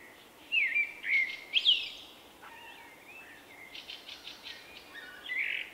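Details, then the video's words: Shy male common blackbird, March 2024, singing his unusual individual song, rendered 'vuippi vuippi vuuu': two loud fluted whistled phrases with a high twittering end, then softer scratchy notes and a closing whistle. "Vuippi-Vu the Common Blackbird"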